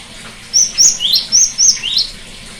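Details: Song of the cinereous tit, played to restart a bird that stopped singing: six ringing notes alternating high flat whistles and lower rising swoops in a tight phrase, over quiet steady hiss.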